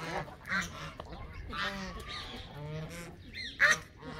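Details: Canada geese giving scattered nasal honks of varied length, some short and clipped, with one louder sharp honk near the end over a low steady hum.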